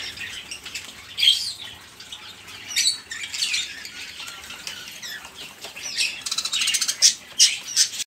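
Budgerigar chatter: busy, scratchy high warbling with squawks and sharp chirps, coming in uneven bursts several times a second.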